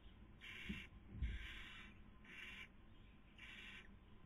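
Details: Nest of barn owls in Spain's Cabañeros National Park, 2020 breeding season, as the female feeds and the male attempts to sleep; four loud, noisy hissing screeches spaced roughly a second apart, with a faint low background hum.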